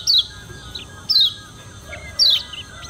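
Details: Lombok white-eye (kecial kuning) giving a challenging song to provoke rivals: three thin, high, falling notes about a second apart, each with a softer trailing squeak, over background hum.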